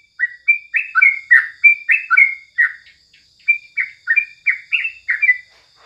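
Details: Morning song of a yellow-vented bulbul, played as tutor song: lively bursts of clear chirpy whistles, rising and falling, delivered rapidly in two phrases separated by a short pause, over a faint high background hum.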